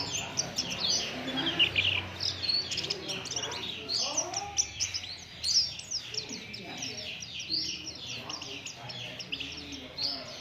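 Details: Oriental white-eye song used to lure other birds into singing: dense, high, rapid twittering of quick chirps and short slurred whistles, overlapping throughout, with faint lower sounds beneath.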